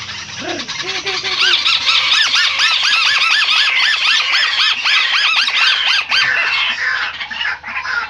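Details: White-browed crake call used for luring birds: dense run of rapid, repeated arched squeaky notes, about four per second, loud and continuous, fading near the end.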